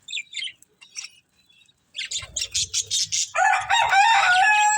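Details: Budgies feeding on greens give sparse soft chirps, then a rhythmic run of about seven loud chirps before a harsh, buzzy, whistle-laced warble.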